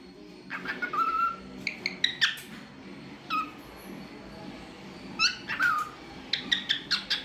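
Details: Talkative pet cockatiel making different sounds: scattered short whistles and sharp clicks, a few clear falling whistled notes, and a closing run of quick chirps over indoor background noise.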